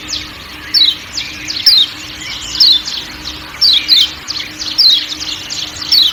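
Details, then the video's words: A kecial kuning, the Lombok white-eye, calling 'ciak ciak' against forest sounds, its crisp high chirps sliding downward in quick pairs and triplets, steady hum underneath. "Kecial Kuning Ciak Ciak Dan Suara Hutan"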